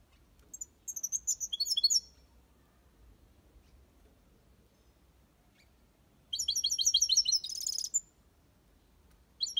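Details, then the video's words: Caged European goldfinch giving copia Malaga song in two bright bursts of rapid, tinkling twitters about two seconds long, separated by a silent gap, with a final fragment starting at the end. "Goldfinch song/ best chirping of the goldfinch | Jilguero Cantando copia malaga/ chardonneret chante"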